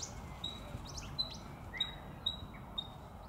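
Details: Eastern spinebill at Maranoa Gardens, Melbourne, Victoria, Australia, on 6 September 2021: thin, high, level piping notes repeated about every half second, with other faint chirps and a low background rumble.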